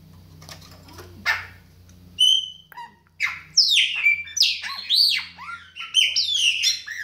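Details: Chopi blackbird song, a captive bird kept for its singing: after a quiet noisy start, clear whistled notes and rapid rising and falling liquid phrases, varied and melodic, delivered in quick bursts.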